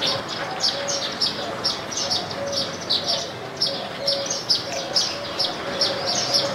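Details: Indian silverbills eating grain at a backyard bird feeder in India give short, high chirps, about two a second, overlapping loosely as from a small flock, over a low steady hum.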